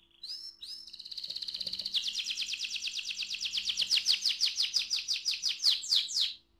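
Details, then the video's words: Canary rolling song, played to draw other canaries into song: two quick high notes, then a long, even trill that grows louder and slows slightly into distinct pulsing notes over several seconds before stopping. "KENARI NGEROL AMPUH BUAT PANCINGAN KENARI"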